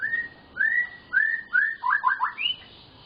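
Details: White-rumped shama, a lively singing bird used to prompt silent shamas into song, giving a series of clear whistled notes, several slurred upward phrases followed by quick stuttered notes and a higher rising whistle.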